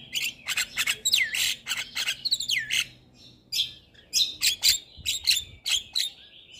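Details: Caged Javan myna singing on a training recording for lazy birds: rapid, dense bursts of harsh chattering notes with swooping whistles, a brief pause, then more rasping calls in quick succession.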